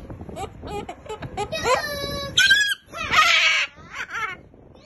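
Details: Moluccan cockatoo giving a laugh: choppy cackling notes building into long, rich, wavering hoots and a loud raspy burst, voice-like in tone, recorded indoors at close range.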